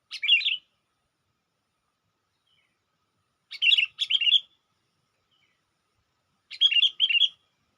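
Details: Bulbul lure call, sooty-headed: crisp, bubbly chirped phrases, a single one, then a double and another double, spaced about three seconds apart over near silence.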